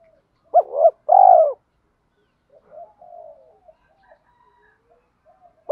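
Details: Spotted dove cooing, a recording used to stimulate doves in training and said to include both male and female birds. A low, hollow two-part coo rises then swells into a longer mellow note, followed by faint softer coos.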